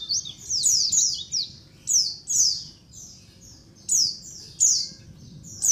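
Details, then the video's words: Colony of white-eyes used as a lure, giving sharp high descending chirps in clustered bursts roughly every half second to second, several birds overlapping, with short quiet gaps. "SUARA KOLONI PLECI COCOK BUAT PANCINGAN PLECI AGAR CEPAT NGALAS | SUARA PIKAT BURUNG PLECI"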